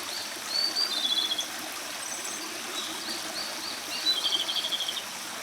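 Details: Japanese robin in sustained song: a sharp high introductory note dropping into a fast rattled trill, repeated after a pause with a second descending trill, set against constant loud running water.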